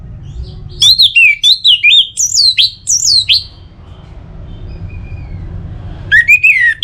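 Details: Orange-headed thrush (anis merah) song aimed at encouraging birds to sing: a run of loud, downward-slurred whistled notes in quick succession, a pause with a faint thin whistle, then a final chattering phrase.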